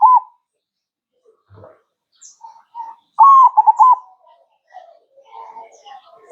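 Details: Perkutut (zebra dove) manggung phrase in the middle, a long coo with quick beats, amid scattered softer coos and chirps and a brief flutter-like noise.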